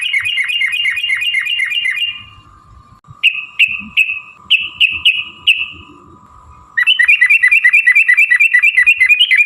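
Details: Trucukan bulbul lure recording of long rapid chatter (ropel panjang): a fast string of bright repeated notes, a gap, five separate falling whistled chirps, then a dense rapid chatter running to the end over a faint steady hum.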